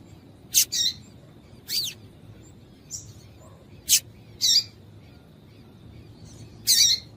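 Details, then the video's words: Female papa-capim calling to stimulate males, as used by keepers preparing birds for singing contests; short high chirps and buzzy notes spaced irregularly, about seven over seven seconds, against quiet background hiss. "Piado de Fêmea de Papa capim para Esquentar Papa capim"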